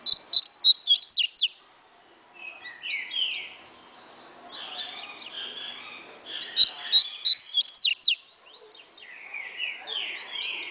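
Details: Breeder's double-collared seedeater repeating its atilharia song: fast bursts of clipped, high whistled notes with sharp downslurs, given twice with gaps, while other birds chirp hoarsely in the background.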